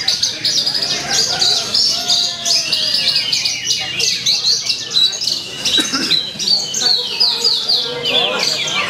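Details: Javan bush lark singing at a songbird contest in Purwakarta, Indonesia, on 2 February 2020: a dense, continuous stream of high, rapid twittering and slurred whistled phrases, with other contest birds and faint human voices behind.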